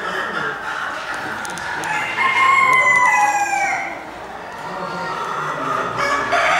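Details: Crèvecœur chickens, cuckoo-coloured hens and roosters, at a Normandy poultry breeds championship show in the Gournay-en-Bray market hall, France, December 2016: a rooster gives a long hoarse crow that slides downward, over loud hall chatter and clucking.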